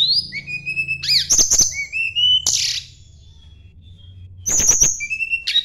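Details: Sunda blue robin singing while seeking a rival: high, thin whistled notes and steep downslurred slides, with sharp clicking strokes, then a pause before another burst of ringing notes.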